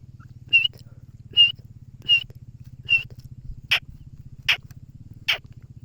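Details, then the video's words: Grey francolin calling: short, sharp, high notes repeated about every three-quarters of a second, the later ones louder and harsher, over a steady low engine-like hum. "Teetar ke awaz | teetar sound | teetar ke boli"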